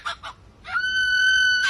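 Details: A lyrebird, a mimic of sounds from its environment such as chainsaws, camera clicks and a crying baby, gives two quick rough bursts. Then comes a long, steady, wailing tone that sounds almost human, like a drawn-out cry.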